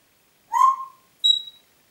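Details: Congo grey parrot whistling in Diebach near Hammelburg, recorded 4 April 2012: one falling tonal whistle with rich overtones, then a short, higher, clear pure note after a brief pause.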